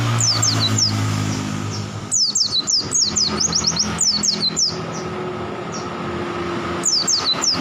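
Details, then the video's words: Oriental white-eye delivering quick runs of high, thin, down-slurred whistles, densest in the middle, over a low engine drone and hum. "KUMPULAN BURUNG PLECI NGALAS SAMPE BUKPAR GACOR"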